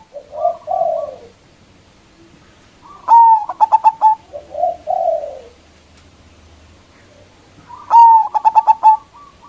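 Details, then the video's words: Local zebra dove, a strong-voiced caller used to lure rival doves: two series, each of gentle falling coos leading into a bright sharp note and a rapid stuttering burst of clipped coos, with quiet pauses between. "Perkutut Lokal GACOR suara Besar Ampuh memanggil Lawan_EMOSI MANGGUNG PANCINGAN PERKUTUT LOKAL"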